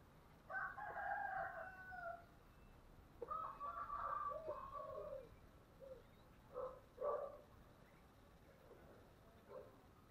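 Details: Spotted dove singing in the thổ voice style, with thúc and gáy gọi cooing. Several deep cooing phrases of two or three hollow notes, in separate bursts over steady low background hiss.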